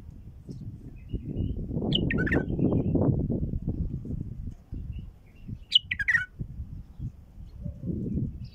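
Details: Wild bulbul calls used as a lure to draw in passing flocks: two short bursts of sharp, chirpy notes, one near the start and one after a pause, over a loud low rumble of wind or handling noise.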